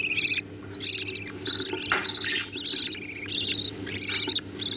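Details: Budgerigar chicks being fed by their parents: harsh, raspy, rattling bursts about half a second to a second long, repeated in quick irregular series, with a steady low hum underneath.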